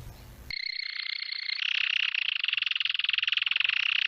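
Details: Canary song used for training young birds: after a brief noisy start, a sustained high rolling trill that shifts to a slightly lower, faster-pulsed roll, steady for over three seconds.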